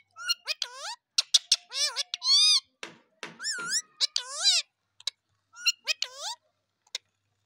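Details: Pet talking Indian ringneck parakeet chatters in a room: dense bursts of harsh, nasal, wavering squawks and voice-like bent notes, with short pauses and a few sharp clicks.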